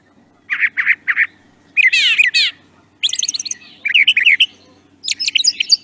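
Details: Brown Thrasher, a mimic that sings each phrase two to three times then moves on: paired buzzy notes, a harsh rasping double phrase, then quick stuttered chip series repeated in short bursts.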